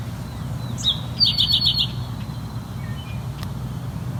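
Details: A distant Wood Thrush on a birding hike through tallgrass prairie at McMaster Forest, Hamilton, Ontario, gives a short, high, fluty phrase: a lone note, then a quick run of about five notes with a thin trill, over a low rumble.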